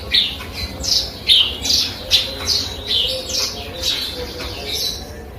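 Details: Canary- and cigun-tutored Eurasian tree sparrow gives a fast run of high, descending chirps, several per second, fading slightly toward the end over faint background noise.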